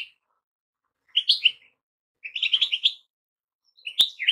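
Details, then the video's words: Goldfinches sing three short bursts of bright twittering chirps separated by pauses, the last ending after a sharp click. "Goldfinches - amazing song"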